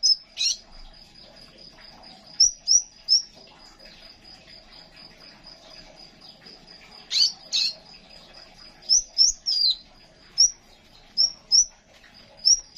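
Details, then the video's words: ['Crimson sunbird singing on a practice recording meant to lure birds and enrich their song. Scattered, piercing high chirps and a few buzzier notes break a long, steady, thin high tone, with quiet stretches between bursts.'] "Kolibri Sepah raja suara pancing burung bahan yang masih membisu"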